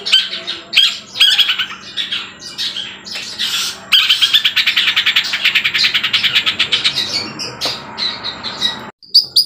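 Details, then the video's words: Long-tailed shrike (cendet trotol) in full song (gacor), said to be able to mimic a "kuntilanak" sound and Tengkek Buto; a fast, scratchy, high medley of chattering notes and sharp whistles with imitations and a brief pause near the end. "Cendet Trotol sudah bisa bunyi kuntilanak Tengkek Buto gacor"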